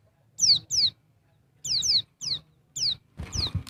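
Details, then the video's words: Female white-eye of the Dakun Bali type calling males: bright, high whistled notes falling in pitch, delivered in doubled bursts with short pauses, ending over a brief patch of rustling noise. "TERAPI PLECI DAKBAL BETINA, BIKIN BURUNG PLECI MU NGALAS"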